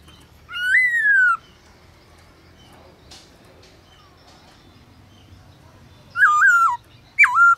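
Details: Black-throated laughingthrush, singing at midday for training in forest-style voice, gives one long arched whistle, falls silent for about five seconds, then adds two short wavering whistled notes.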